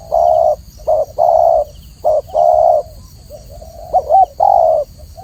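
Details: Spotted dove, known locally as tekukur, giving loud mellow coos: short and long hollow notes in uneven pairs, with a brief wavering note before the final coo; light hiss behind.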